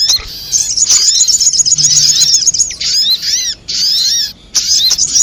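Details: Sogok ontong, a sunbird, in a trapping lure sound: rapid high twittering trill, then short bursts of curved, whistled chirps with brief silent gaps.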